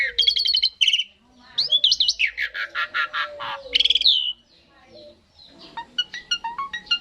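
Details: Asian pied starling song used to prompt other starlings to sing along: loud varied whistles, rising slurs and buzzy harmonic notes, a gap, then sharp clipped chirps, with a faint low hum beneath.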